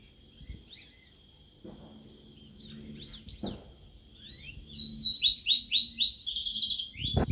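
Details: Caged sulingan laut (tledekan laut), kept only three days, gives scattered soft notes, then bursts into a fast, regularly repeated series of high slurred chirps and trills, with low thumps and background hum.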